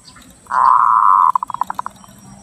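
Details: Zebra dove recording used as a lure and to stimulate breeding: a sustained, even cooing note lasting nearly a second, breaking into a quick series of about eight short staccato notes.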